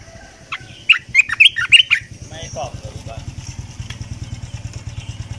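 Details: A decoy Red-eyed bulbul delivers a rapid string of five or six liquid, chirpy notes, followed by scattered softer calls, while a steady engine-like rumble and faint voices run underneath.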